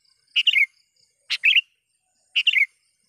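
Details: Sooty-headed bulbul calling to lure a rival or wild birds: three short bright phrases about a second apart, each a sharp note followed by a quick warbled burst, in quiet surroundings.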